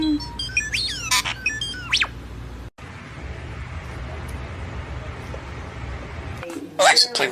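A starling mimics in a fast jumble of sliding whistles, clicks and chatter, then falls quiet against room hum before a final burst of scratchy notes.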